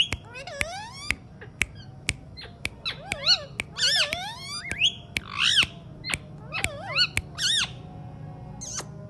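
An Alexandrine parakeet talks in bursts of high, swooping, speech-like syllables with rising and falling inflections, broken by sharp, dry clicks every half second or so.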